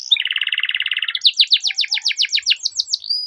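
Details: Long rolling canary song played as a training lure for young canaries: opens with a rapid, even low trill for about a second, then switches to a series of high, sweeping downslurred notes repeated about four per second, ending on a thin whistle.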